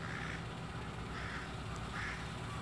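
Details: A young crow fledgling, recently learned to fly, gives three harsh, drawn-out begging caws about a second apart, constantly asking for food, over steady low rumbling background noise.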